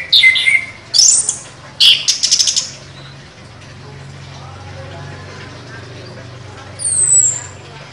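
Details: Chestnut-capped thrush (anis kembang), a contest champion bird, singing sharp phrases: a few loud whistled and buzzy bursts in the first three seconds, a quiet gap, then one high descending whistle.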